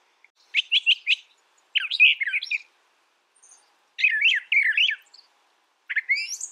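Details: Brown thrasher singing loud, varied phrases of rapid buzzy and chattering notes, four bursts separated by short pauses, each phrase different in pattern.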